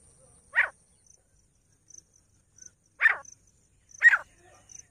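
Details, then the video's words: Grey francolin calling with three harsh, grating notes, the last two closer together, over faint high ticking background sounds. "Teetar sound 4K Teetar Voice"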